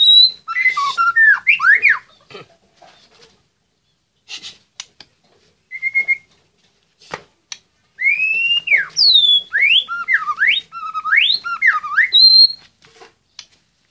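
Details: Caged White-rumped shama from Magelang, Indonesia, entered in an online songbird contest: loud, varied whistled phrases, swooping up and down, broken by pauses with scattered clicks and small knocks.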